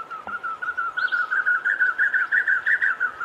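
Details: Black Cuckoo, one of several southern African cuckoos: a running series of quick whistled notes, about three per second, rising slightly in pitch and growing louder, over a faint steady hiss.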